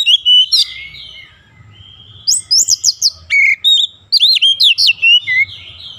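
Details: Oriental magpie-robin in daily training for a long rolling song: loud whistled phrases in quick succession, with repeated high slurred notes and chirps forming two busy bursts.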